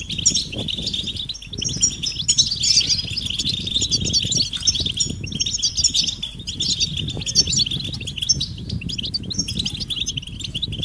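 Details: European goldfinch calls of mating and readiness, aimed at making males sing: dense, high, jingling twitters and quick trills running throughout, over steady low rustling and fluttering noise.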